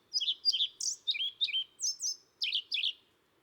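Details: European pied flycatcher (Ficedula hypoleuca) song, a cyclic, rhythmic pattern: high clear two-note phrases, each dipping then rising, repeated at an even, metronome-like pace, no other sounds.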